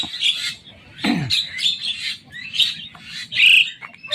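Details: Javan myna (white-eyed jalak kebo), just trapped and being handled, giving a run of harsh, grating squawks, five or six bursts in four seconds, with a brief low handling thump partway through.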